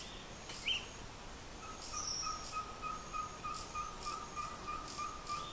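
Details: A ferruginous pygmy owl (Glaucidium brasilianum) in Colombia gives a steady run of short, mellow whistled toots, about three per second, with a brief chirp and faint high insect-like sounds behind.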